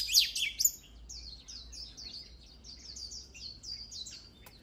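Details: Oriental magpie-robin singing, meant for training a bird's voice for song contests: a few loud sharp notes, then a quieter run of short downslurred high whistles repeated about twice a second over a low steady hum.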